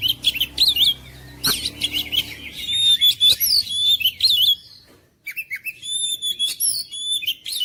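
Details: Oriental magpie-robin (kacer) song used to stir silent, lazy kacer into singing hard: bursts of sharp chattering notes and clear high whistles, a short pause, then more ringing whistled phrases mixed with harsh scratchy notes.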